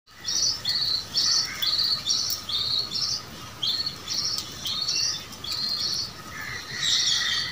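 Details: Several pet budgerigars squabbling while eating chatter in quick, scratchy chirps and short warbled bursts.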